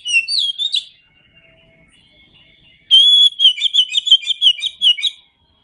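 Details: Oriental magpie-robin singing in a tutor recording for cage birds: a short burst of bright whistled notes, a quiet gap, then a loud run of rapid, clear whistles with sharp chirps repeated about three times a second.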